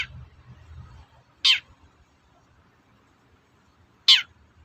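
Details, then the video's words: Long-tailed shrike giving its toet-toet call, used to provoke other shrikes into singing: two short, harsh, rasping notes about two and a half seconds apart, with faint low rumbling early on. "Suara burung cendet gacor toet-toet memancing emosi cendet bahan agar cepat gacor"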